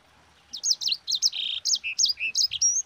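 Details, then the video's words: Rolling song from a sanger, played to stimulate and train other birds to sing: after half a second of quiet, a rapid string of high chirps, trills and slurred whistles runs on without a break. "Suara Burung SANGER GACOR Ngerol Pedas paling ampuh untuk Pancingan"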